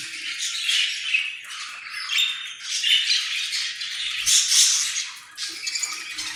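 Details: Harsh, raspy squawking from an Australian parrot, delivered in near-continuous rough bursts that swell and fade over several seconds.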